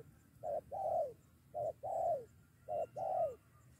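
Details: Lured spotted dove ready to fight a decoy during bird trapping: deep cooing in repeated pairs, a short hoot then a longer arching coo that drops at the end, three pairs in about four seconds over soft background hum.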